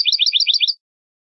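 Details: Spanish-style European goldfinch, recorded to tutor young birds: a short buzzy trill of about eight quick, evenly repeated twittering notes, then silence.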